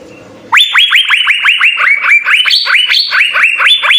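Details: Asian fairy-bluebird singing in energetic gacor style with full isian fills: after a quiet low hum, a rapid series of loud, sharply upslurred whistled notes, about four per second, some stepping higher, continuing without pause.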